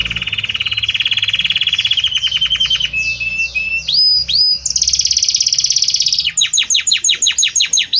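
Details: Belgian canary's harmonious song gliding gradually between notes: a rapid low trill, rising whistled slurs, a buzzy high section, then a string of sharp descending chirps.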